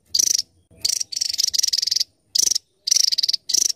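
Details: Javan tesia giving high, rattling pulsed bursts, each a quick train of sharp ticking notes, about six bursts in under four seconds, separated by brief silences.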